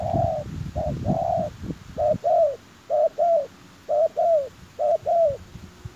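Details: Lure spotted dove for trapping wild doves: a run of hollow coos, short then longer and falling, in pairs roughly every second, over low background bumps and hiss.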